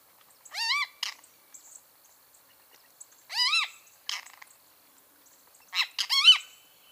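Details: Great kiskadee singing: three loud bursts about every 2.5 seconds, each a harsh, rich, rising-then-falling arched note followed by short sharp notes, the last burst doubled; quiet background between phrases.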